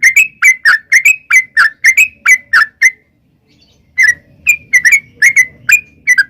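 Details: Lure song of a yellow-vented bulbul in the long 'ropel' style: a steady string of loud, liquid, slurred whistled notes, roughly three a second, a pause of about a second, then more of the same notes in a looser rhythm.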